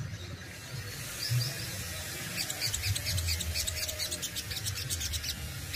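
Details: Kept Crimson Sunbird (sogon) from Indonesia delivering a fast, dry run of very high ticking notes over steady low rumbling background noise, the rattle starting midway and continuing to the end.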